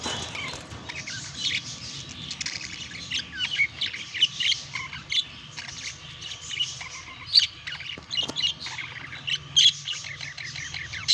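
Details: Pet budgerigars during courtship and mating, with a continuous soft warbling chatter of buzzy squeaks and chirps, steady throughout, sprinkled with occasional sharper whistled notes.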